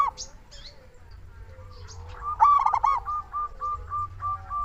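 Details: Local zebra dove cooing as a lure to get doves calling: quiet opening, then a loud stuttered burst followed by a steady string of short, evenly repeated soft notes, low background hum throughout.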